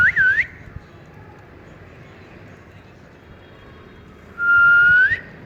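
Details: Pet ring-necked parakeet, kept as a talking bird, enjoying cool weather: a quick looping double whistle opens, then a long quiet stretch before a sustained, level whistle that lifts sharply at its end, over a faint steady background hum.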